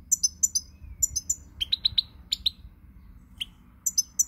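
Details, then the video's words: European goldfinch song recorded 20 March 2020: bright, tinkling twitters of very high paired chirps in quick bursts, with a run of lower, slurred notes in the middle, over a faint low hum. "Pirlitan Chardonneret, El jilguero, bird, cardellino pezzato GOLDFINCH SONG"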